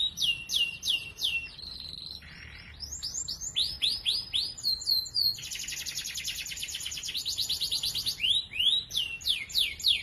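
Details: A canary sings at morning, used to encourage silent canaries to sing: loud repeated downward-sweeping notes in series, a short buzzy passage, a long fine rapid trill, then more swooping notes.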